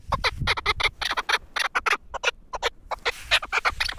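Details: Tethered, caged Pamir chukar partridge, four years old and kept for hunting, giving quick harsh notes in clusters with a brief lull midway, then resuming.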